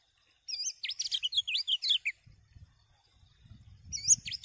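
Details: Common iora singing, its song meant to stimulate other birds to sing: a rapid string of high, looping whistled notes for about a second and a half, a short pause with faint low rumble, then another burst begins.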